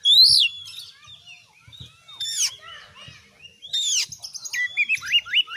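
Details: Oriental magpie-robin (kacer) giving scattered high squeaky upslurred notes and harsh bursts, ending in a quick run of repeated whistled notes; faint low knocks in the background.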